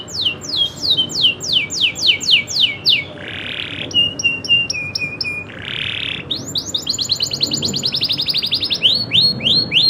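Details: A local canary delivers loper-style 'nembak ngeroll' song: fast falling whistles, a rasping buzz, repeated short flat pips, another buzz, then a long, very rapid rolling trill of sweeping notes.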